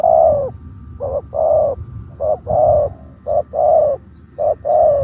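Spotted dove giving soft, mellow coos in short-and-long pairs over a low background rumble.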